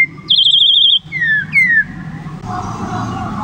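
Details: Black-collared Starling singing when a person asks it to sing: a high wavering whistled trill, then two clear descending whistled slides, followed by a person speaking over low background hum.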